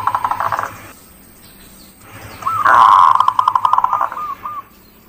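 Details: Local zebra dove song used as a lure to stimulate other birds: a loud phrase of fast, rolling coos ending in a few separate hooked notes, over steady background hiss and a faint low hum.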